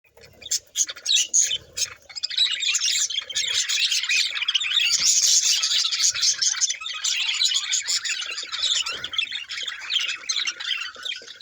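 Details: Budgerigars, shown in colour mutations, chirping and chattering continuously in a dense, high warbling mass, with sharp clicks and squawks breaking through and a steady busy flock chorus throughout.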